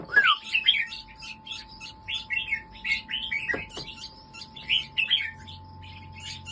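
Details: Red-whiskered bulbul in a cage, a crossbred pale-sooty colour bird from racing stock, delivers repeated 'tong' song: a rising whistle, then a run of bubbly warbled notes about two per second, with two dull knocks midway.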